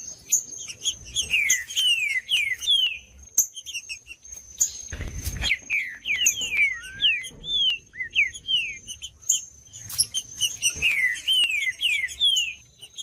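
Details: Green-winged saltator singing in bursts, played to get a silent caged bird singing: clusters of fast descending whistled slurs separated by pauses, a short rustle midway, and a faint continuous high tone.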